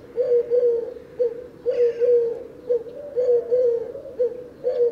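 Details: Eurasian Collared Dove song: a low, hollow, monotonous coo in three-syllable phrases, repeated steadily about every one and a half seconds; sings year round, may be mistaken for cuckoo at a distance.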